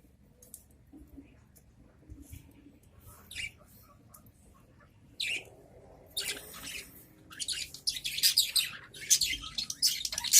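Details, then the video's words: Caged adult budgerigars answering each other: a few faint chirps at first, then a lively, dense, high-pitched warbling chatter building in the second half. "Suara Merdu Burung Parkit Dalam Sangkar"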